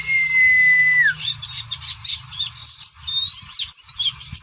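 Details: Caged Oriental white-eye doing ngeriwik song: a long steady whistle sliding down, then jumbled high twittering and sharp chirps, with low hum.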